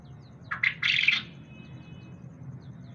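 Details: A grey francolin gives one brief, harsh, squawking burst lasting under a second, apparently reacting to a camera, over a low steady background hum.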